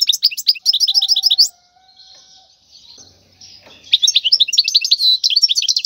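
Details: European goldfinch tutor song for young birds: a run of quick chirping notes, a quiet gap with a faint low whistle, then rapid twittering phrases return.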